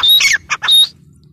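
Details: A single harsh grey francolin (teetar) phrase: a whistled squawk, a short clipped note, then a longer rasping whistled note, followed by quiet with a low background hum.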